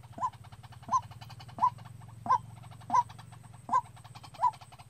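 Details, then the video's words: White-breasted Waterhen used as a trapping lure, calling on its own: evenly spaced punchy kwak notes every 0.7 seconds, over a persistent low droning hum and light background chatter. "Tiếng quốc đi bẫy"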